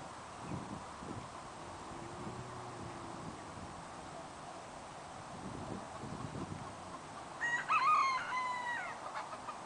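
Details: Rooster from a semi-feral flock of chickens, chicks and roosters roaming a private lot and parking lot in Aiea: one short crow near the end over a steady hiss of background noise, with faint low bumps earlier.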